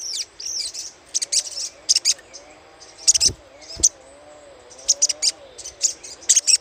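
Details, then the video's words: Lure chattering of a little spiderhunter: irregular runs of shrill, high, clipped notes with brief squeaky slurs, packed into bursts throughout, over a soft low wavering hum. "PANCINGAN SUARA CRECETAN SOGOK ONTONG"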